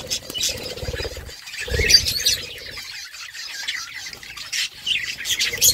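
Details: Budgerigars chattering to each other, a steady stream of warbling chirps and short squawks from several birds, with a low hum underneath.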